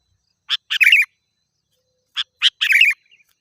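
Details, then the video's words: Two short bursts from a sooty-headed bulbul used to lure wild birds, each made of one or two clipped chips running into a rough, scratchy chatter. "Suara Burung Kutilang Gacor"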